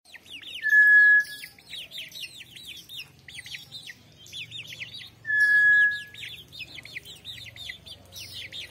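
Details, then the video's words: Brown tinamou (inhambu or nambu preta) giving a loud, steady, level whistle lasting about half a second, twice, roughly four and a half seconds apart, over a constant chatter of high chirping small birds. "O belo canto da inhambu/nambu preta"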